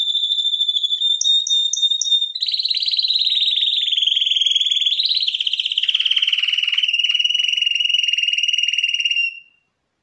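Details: Champion canary in 2021 song: a steady whistled tone with three quick rising chirps, then a long rapid rolling trill that gradually descends in pitch and fades out near the end.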